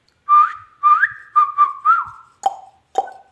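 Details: Ringneck parrot kept as a pet whistles a run of tonal notes, the first two swooping upward, the next ones level and wavering, then two low plopping knocks.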